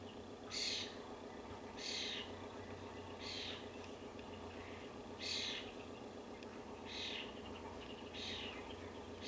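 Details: A crying European starling fledgling, being fed by its parent in a North American backyard, gives harsh, hissing rasps, about six in nine seconds at a steady pace, over a low background rumble.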